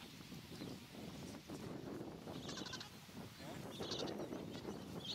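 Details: Gentoo penguins in a colony on Carcass Island, Falkland Islands, 21 January 2019: harsh bleating, braying calls with stacked harmonics rise over a constant low rumble of many birds, with brief pulsed bursts near the middle and end.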